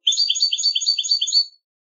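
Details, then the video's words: A short goldfinch phrase recorded for a singing contest: a quick run of about a dozen bright, looping twittered notes lasting a second and a half, then silence. "cd concurso jilguero"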